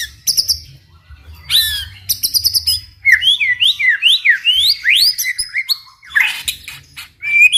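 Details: White-rumped shama in full song, meant to get other shamas singing: crisp high chips and buzzy trills, then a lively sequence of swooping whistled notes rising and falling, ending in harsher sweeps and a thin whistle.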